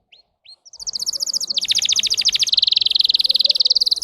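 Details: Pet singer canary, two short chirps then a loud song of rapid buzzy trills, a fast rolling phrase dropping lower before settling into a dense high churring roll.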